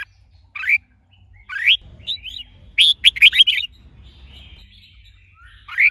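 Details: Red-whiskered bulbul song, a caged bird trained to sing with a female used to stimulate the male; scattered rising whistles, then a fast burst of bright warbled notes near the middle, another whistle at the end.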